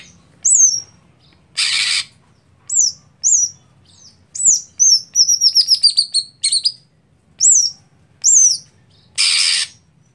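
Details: Greater green leafbird, a contest bird prepared for competition when slow to warm up, sings high whistled downslurred notes, a quick run of slurred trills, and two loud harsh rasping bursts.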